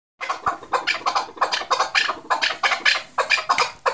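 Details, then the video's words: Female chukar partridge calling, a rapid series of harsh, chattering notes repeated about four times a second, with a steady high hiss underneath. "chakor female madi sound"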